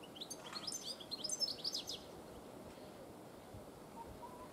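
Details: European goldfinch song: a quick run of high, tinkling, twittered chirps for about two seconds, then a faint hiss of background noise to the end.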